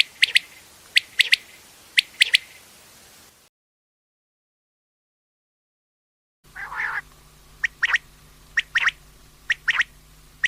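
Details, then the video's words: A quail (batair) gives sharp, clipped call notes in quick pairs and triplets, about once a second, with a silent break partway through; possibly a morning call. "quail sound"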